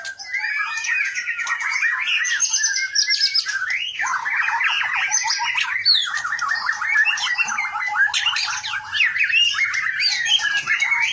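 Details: White-rumped shama from Gunung Leuser, Aceh, a caged contest bird, pours out a long ngerol-style rolling song of dense rapid trills and buzzy churring runs, with shifting high whistled notes throughout.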